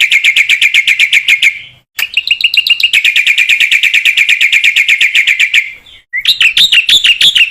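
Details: Black-winged myna singing vigorously as tutor material for other mynas: long runs of rapid, piercing repeated notes separated by two short gaps, the final section higher and more varied with rising inflections.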